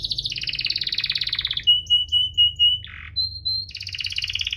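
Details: Singing canary with a chirping, rolling song used to coax lazy canaries into song: a dense buzzy trill, then clear level whistled notes, a brief harsh burst, and a fast high trill.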